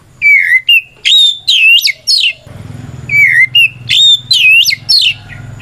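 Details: White-rumped shama singing provocatively to make other shamas reply; a whistled downslur, then high sweeping notes and buzzy flourishes, the phrase given twice with faint low hum between.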